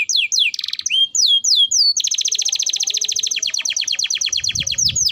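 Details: Lively canary song meant to stimulate other canaries into singing: a run of swooping downslurred whistles, then a long rapid rattling trill of clipped notes, clear and loud with almost no background noise.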